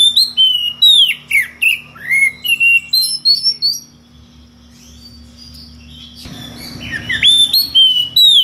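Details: Kacer ngeplong magpie-robin calling out to a rival with strange variations: a rapid series of loud whistled downslurs and chirps, a quieter stretch, then a noisy burst and renewed sweeping whistles; a constant electrical hum behind.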